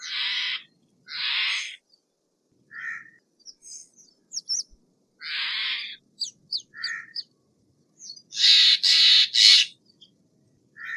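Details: Steller's jay calling in loud, coarse squawks spaced irregularly over eleven seconds, ending in a run of very harsh, broad screeches, with sharp high chips scattered between.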